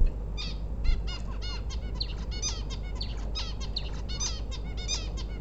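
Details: Busy chatter from a female bulbul ready for egg-laying: dense, repeated curved notes overlapping almost continuously above a strong low background rumble.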